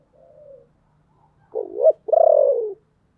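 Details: Decoy spotted dove with a deep, husky voice calling to attract wild birds: a soft low coo, then a louder wavering note and a long falling coo, in a quiet setting.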